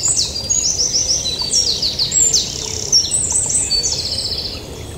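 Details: Yellowhammer song, loud and close: rapid series of high, thin, downslurred notes repeated several times, followed by longer sliding notes. Overlapping phrases come from more than one singer over a faint low background hum.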